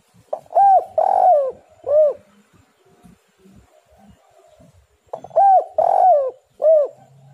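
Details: Spotted dove lure song intended to start other doves singing: two full phrases, each a short note, two arched mellow coos and a final dropping coo, separated by about three seconds of quiet rustling.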